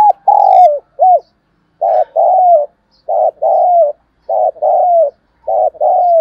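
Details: A decoy spotted dove calls insistently to attract wild doves, repeating short cooing phrases about once a second, each a clipped coo followed by a longer falling one, low and mellow, with faint chirps early on.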